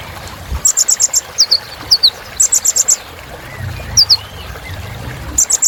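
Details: Sunbird called kolibri ninja in energetic filler song: rattling groups of five rapid high chips alternating with paired down-slurred tsip notes, faint watery background noise.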